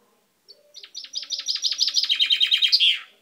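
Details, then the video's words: Caged male-plumaged pet chaffinch with a newly purple beak, singing indoors on 10/05/12: a bright, rattling song of about fifteen quick descending notes that speed up and shift lower, ending in a brief flourish, lasting roughly two and a half seconds. "Mi pinzon cantando"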